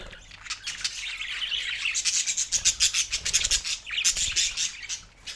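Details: Pet budgerigars, two males, warbling in a fast stream of rasping, buzzy chirps that swell into rapid clicking bursts near the middle, then trail off quieter.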